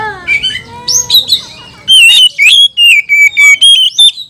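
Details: Agitated oriental magpie-robin in a 'kanibal, mbagong, salto' song that spurs other kacer to sing. Soft chattering and harmonic notes give way to loud, clipped, high whistles repeated about twice a second.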